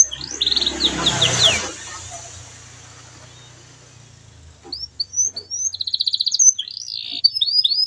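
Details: Canary in continuous gacor song, played to prompt silent canaries to sing again: rising whistled notes, then a noisy gap and a quiet middle before fast repeated chirps and trills resume.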